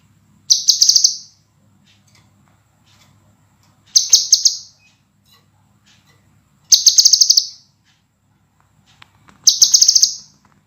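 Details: Scarlet minivet song used as a master recording for training cage birds, described as clear, dense and sharp: four bright, high buzzy bursts of rapid notes, each under a second, spaced about three seconds apart over quiet background.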